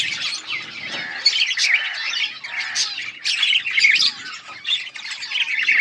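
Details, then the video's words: Several yellow budgerigars, August 20, 2024, trading rapid squawky chirps and buzzy warbles, with loud sharp notes bursting out over a steady background of busy chatter. "Beautiful yellow budgies chirping sounds 💛 budgies talking"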